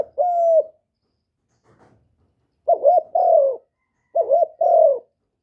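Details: Captive spotted dove cooing to lure wild doves: a long steady low coo, a pause with faint clicks, then two paired phrases, each a quick wavering note followed by a drawn-out coo, clean and close.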